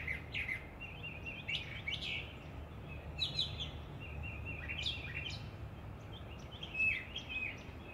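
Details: Common nightingale singing: rich varied phrases of fluttering trills, sharp whistles and chattering notes, delivered in bursts every second or two, over a faint low rumble.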